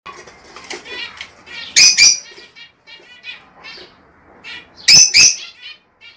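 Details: Lovebird vocalizing to stimulate breeding: continuous soft squeaky chatter broken by two loud, harsh, shrill screeches.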